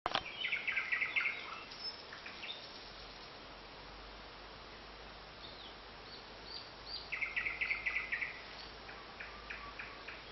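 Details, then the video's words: Nightingale singing: two bursts of fast, rapidly repeated chattering notes, one at the start and another about seven seconds later, separated by quiet stretches with a steady background hiss. "Поёт соловей"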